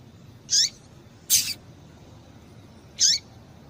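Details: Female rusty-collared seedeater calling to excite males: three brief sharp high notes, the middle one harsher and longer, spaced irregularly over a faint hiss.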